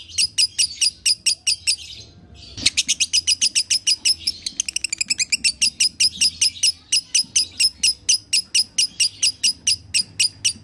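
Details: Lovebird singing energetically (gacor, konslet), intended to train other lovebirds to sing: long run of rapid, sharp, high chirps at a steady quick pace, a brief pause and click near two seconds, then a fast trill and renewed chirping.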